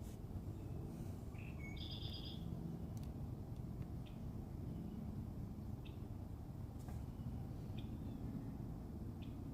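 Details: Red-winged blackbird singing in Minnesota: a single brief introductory note leads into a harsh, buzzy trill near the two-second mark. Scattered soft chips come afterward, all over heavy low background rumble.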